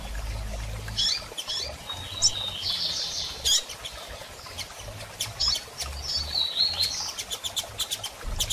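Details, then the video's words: Female double-collared seedeater calling to prompt a male into song after moult: scattered high chips and short buzzy whistles, a denser cluster of clicks near the end, faint low hum beneath. "Fêmea de Coleiro Chamando e Piando Muito - Ótimo Para Estimular Seu Coleiro a Abrir Canto Pós Muda!!"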